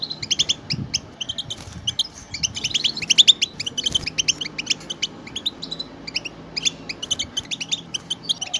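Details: A group of European goldfinches singing together, a recording meant to stimulate pet goldfinches to sing; dense, bright twittering of quick high chirps and trills overlapping continuously, with faint low background rumble.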